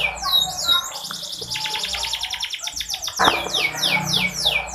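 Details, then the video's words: Female canary voice played to rouse a male's singing and breeding drive. Fast high chirps and long rattling trills, with a steady low hum underneath and a bright burst of sweeping notes toward the end. "Suara burung kenari /pancingan buat burung kenari yang malas bunyi."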